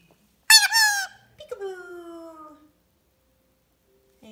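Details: Male Green Pied Indian Ringneck parakeet, a rare colour mutation, talking while playing peekaboo in front of a mirror: a loud, bright harmonic burst, then a short pause and a longer, smoothly falling tonal phrase fading out, with a faint note at the end.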